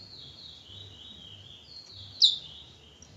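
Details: Bullfinch from Trinidad singing a continuous high, thin warble that wavers up and down, with one sharp louder note about two-thirds through; quiet background.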